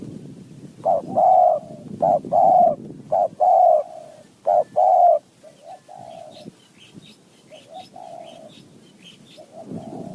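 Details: Wild spotted dove in high mountain forest answering a decoy bird, in a calling style described as 'throwing 4 3 2 1 kuk, calling 1 2 kuk': hoarse, mid-pitched coos in grouped phrases, loud at first, then softer distant coos with faint chirps.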